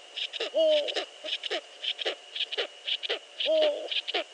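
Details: Eurasian eagle-owl (Bubo bubo) calling in the Netherlands in spring, at 5:31 AM on 15 March 2013: two short, deep, slightly bending calls about three seconds apart, amid repeated scratchy clicks and a faint steady whine.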